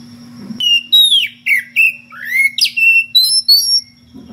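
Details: Magpie-robin, or kacer, ngeplong style calling out a rival with strange variations: a string of loud, clear whistles, some falling, some rising, separated by brief gaps, with a steady high tone and low hum in the background.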